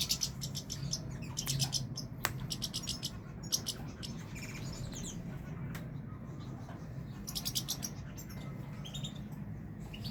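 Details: European goldfinch singing: bursts of rapid, high twittering notes in dense clusters, separated by short pauses, over a steady low hum and faint background noise.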